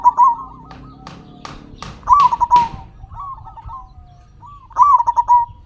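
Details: Local zebra dove song, played as a lure to make captive doves sing: warbling coo phrases near one pitch with rapid stuttered notes, repeated about every two to three seconds, with sharp clicks and low background hum.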